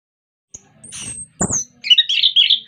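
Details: A captive orange-headed thrush, played to prompt other birds of its kind to sing, gives a thin, very high whistle, a short harsh rasp, then a fast jumble of bright, chattering notes.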